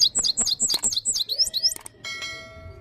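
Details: Goldfinch song, a lively stream of high, liquid twitters repeated several times a second for nearly two seconds, followed by a sustained ringing, bell-like tone that fades out.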